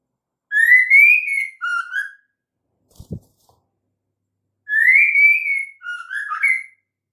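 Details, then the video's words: Female white-rumped shama, whose call serves to draw males into song. Two clear whistled phrases, each rising then dipping into lower slurred notes, separated by a brief pause with a faint tap. "suara KHAS murai batu BETINA untuk Pancingan Murai jantan AGAR GACOR"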